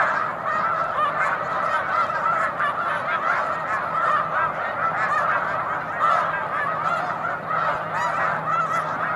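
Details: A large flock of snow geese on Cayuga Lake, March afternoon, producing an unbroken wall of high nasal honks and yelps from countless birds, with a faint low hum in the background.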